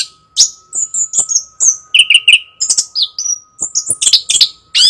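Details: Chestnut-capped thrush in loud continuous song: clipped high whistles and trills, a cluster of repeated lower chirps in the middle, then a rasping final note, with a low constant hum behind.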